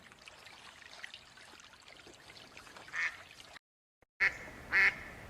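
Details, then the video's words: A duck gives three short, harsh, nasal quacks, one single and then a pair after a brief cut, over a steady background hiss. "The sound of ducks"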